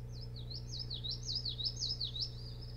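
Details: Osprey calling at its boat house nest on Hog Island, near Bremen, Maine, at night in June 2018, nest camera; a quick series of about eight high, downslurred whistled cheeps, steady and insistent, over a low droning hum.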